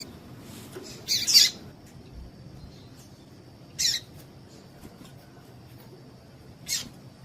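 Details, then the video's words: Female Double-collared Seedeater call, played to excite a male into singing: three brief, sharp, high chips, spaced irregularly a few seconds apart, with a steady faint high whine and quiet low hum beneath. "Piado de Fêmea de Coleiro Com Piado de Fêmea de Coleiro Quente para Esquentar Coleiro tui tui"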